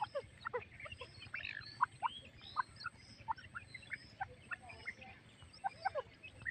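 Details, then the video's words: Breeding pair of partridges (titar) with chicks, female feeding; a busy run of short clucks and squeaky chirps, irregularly spaced, some louder notes standing out, low hum in the background. "feeding female titar check s ki awaz"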